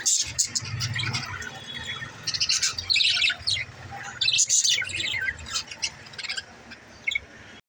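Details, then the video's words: Budgie chirping: bursts of quick high tweets and scratchy twitters with brief pauses, fading and stopping just before the end. A low hum sits underneath. "parakeet chirping sound🐦💛 l parrot budgie talking original sound"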